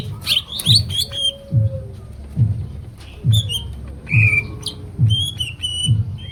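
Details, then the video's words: Chattering greater green leafbird song: bursts of high whistled notes and bent slurs alternating with pauses, while a regular deep thump pulses about every 0.9 seconds underneath. "Kicau cucak ijo gacor jos gandos full materi"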